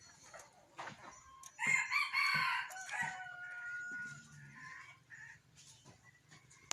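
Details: Decoy rooster of F1 stock, dated 19/12/2021, crowing in a long, strained, harmonic-rich phrase that starts abruptly after soft clicks, sustains about a second and a half, then trails off into lower murmuring clucks.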